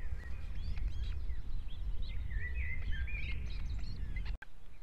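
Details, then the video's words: Osprey calling at its nest in Estonia in 2018, a string of clear whistled notes bending up and down over a couple of seconds, over a busy chorus of small birds and low rumbling noise. "Гнездо скоп в Эстонии"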